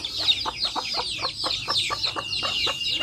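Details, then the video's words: Backyard chicks with their hens fill the air with dense, piercing, downward-sliding peeps, while short clucks sound about every quarter second. "Adorable backyard hens with chicks making adorable sounds!"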